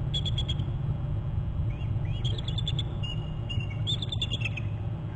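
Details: Eagles calling and alerting at a nest territory on Hornby Island, recorded on 11 January. A pair of high, thin, piping notes form short chittering series in several bursts, over a constant heavy low rumble of wind or machine noise.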